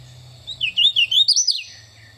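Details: Hooded Warbler, a forest bird singing from mid to low levels in dense understory, gives its clear, confident song: a loud run of slurred whistled notes rising to an emphatic high ending, about a second long, over a faint low hum.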